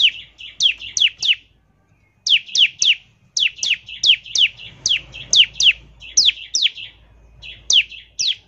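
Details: Bar-winged prinia singing in the 'ngebren' style, meant to coax prinias into song: bursts of high, sharply falling whistled notes with buzzy trailing chatter, broken by brief pauses.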